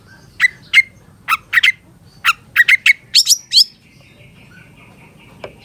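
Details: Caged long-tailed shrike training song with fill-in phrases in the one-perch style. Separate sharp chips with clear whistled accents build into quicker rising notes, then fade to a faint steady tone.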